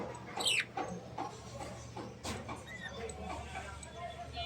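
A budgerigar gives one sharp, high, downward-sweeping chirp, followed by fainter twittering, a soft click and low room hum.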